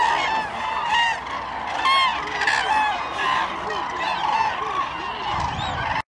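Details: A large flock of common cranes at Lake Hornborga trumpets together, loud rolling bugles overlapping about once a second in a dense, continuous chorus.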